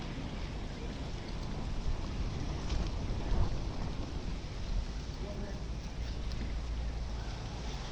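Heavy low wind buffeting and rushing noise fills the recording, with no clear animal call.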